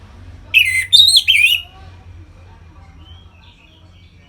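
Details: Orange-headed thrush, a captive bird, in loud 'ngeplong' song used to stimulate other birds into breeding condition: three quick slurred whistled phrases in about a second, then quiet with a low hum underneath.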